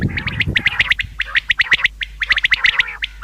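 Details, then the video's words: Common quail calls, crisp short chirps with a clear ringing note repeated rapidly in groups of three to six, separated by brief gaps, over a faint low hum. "Bedana new common quail sound | शिकार के लिए बटेर की आवाज | btair ki awaaz | بٹیر"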